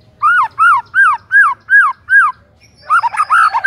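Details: White-rumped shama phrase played to get silent shamas singing: six identical arched whistles in steady succession, a brief gap, then a denser jumble of warbled notes.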